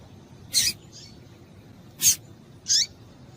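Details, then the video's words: Double-collared seedeater female calling to excite males into song: three brief, high, piercing chips spaced irregularly over about two seconds, the last sliding slightly downward, with quiet hiss between notes. "Melhor Piado de Fêmea de Papa capim Para Esquentar Papa capim"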